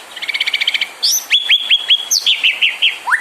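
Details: White-rumped shama song to provoke other birds into singing: rapid buzzy trill, then loud sharp whistled flicks and a descending series of bright notes, ending on a rising whistle.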